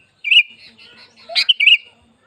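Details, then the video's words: Sooty-headed bulbul song meant to stimulate other bulbuls to sing: a brief warbled phrase, a pause, then a sharp burst followed by a short rolling chirp. "Pancingan Burung Kutilang BIAR GACOR || Pancingan Kutilang Ngamuk"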